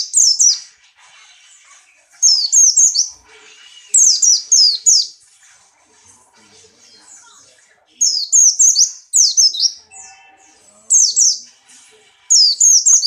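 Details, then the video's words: In strong breeding condition, a Buxtoni white-eye sings about seven bursts of quick, high, downward-slurring notes, three to four notes each, separated by quieter chattering gaps. "burung pleci Buxtoni birahi kencang loncat indah nembak"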